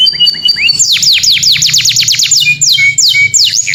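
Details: Clear canary call to a companion: soft steady tones, then a fast series of sharp falling notes and a few spaced downslurs.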